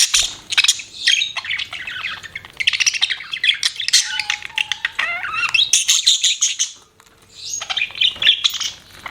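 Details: Budgies kept as pets chirp in a busy, continuous warble of scratchy trills and quick whistles, with a few steady tonal notes and a short quiet gap near the end.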